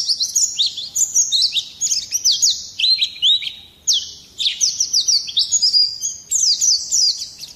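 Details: Oriental white-eye singing rough ngerol nembak phrases to provoke other birds: high chirping bursts of fast downward slurs and short trills, each burst lasting about a second with short pauses between.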